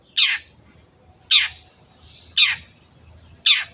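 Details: Long-tailed shrike delivering four harsh, buzzy screeches about a second apart, with a faint whispery note in between.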